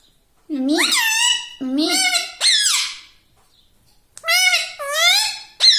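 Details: Pet talking parrot uttering rising, harmonic word-like calls, several starting low and sweeping upward, in pairs with a pause mid-way.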